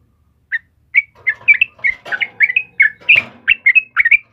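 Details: A yellow-vented bulbul starts with a single note, then bursts into a fast run of gurgling, slurred whistles over a soft, low rumble.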